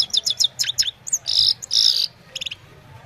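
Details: Himalayan goldfinch singing in the evening, mobile phone recording: several quick sharp twitters followed by two drawn-out harsh wheezy buzzes and a short final chirp cluster.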